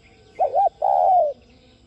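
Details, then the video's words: Spotted dove giving one 'thúc' style phrase meant to stimulate other doves to coo: a short doubled hoot then a long, steady, gradually lowering coo. "Cu gáy THÚC giọng Sát Bổi kích bổi nhanh nổi nhanh gáy"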